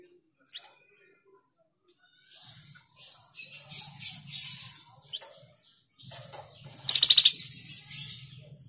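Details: Flamboyan bird, or tledekan jati, sings to prompt cage birds into song. Scattered soft high chirps build to one loud, fast, buzzy rattle of several pulses near the end. A low hum runs underneath.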